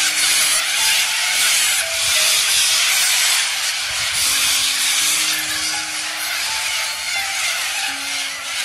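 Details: A large flock of corellas flying back in Australia screeches without pause, a dense wall of harsh, rasping cries. Faint steady tones, possibly music, run underneath.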